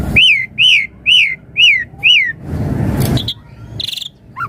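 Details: Javan pied starling song in the pumping, fully varied style used for daily tutoring and luring: five clear arched whistles repeated about twice a second, then rustling noise and a few brief high notes.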